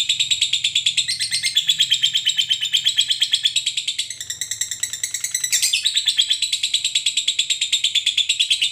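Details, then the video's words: Training recording of a lovebird in long 'ngekek' style, meant to make other lovebirds sing eagerly: continuous shrill, rasping chatter of quick repeated pulses, about three per second, with brief pitch shifts midway, no other sounds. "Masteran Suara Lovebird ini mampu membuat Lovebird anda jadi Gacor"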